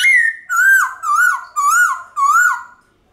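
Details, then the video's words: White-cheeked laughingthrush forest-style song, used to excite pet birds into singing: a long whistled note followed by four rolling, wavering whistled phrases at a steady pace. "Khướu Bạc Má Hót Giọng Chuẩn Rừng Ngân Dài Cực Hay"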